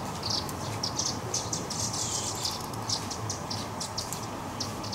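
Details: Young Eurasian crag martins being fed at the Walensee, Switzerland: rapid, thin, high chirps repeated many times in quick bursts over a steady low roar of wind or water.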